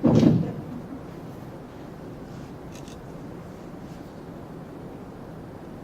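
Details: A short scrape or bump at the start, then only a quiet indoor room hum with no animal sound.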